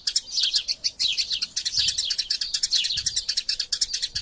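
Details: Eurasian tree sparrows fighting, recorded as masteran training sound for songbirds: dense, rapid high chirps tumbling over one another, with short downslurred notes and overlapping calls throughout, barely a pause between them.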